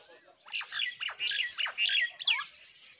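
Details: Myna chicks begging while a parent feeds them: a rapid run of harsh, rasping squawks, about six loud bursts within three seconds, each noisy and broad with quick downward sweeps, against quiet surroundings.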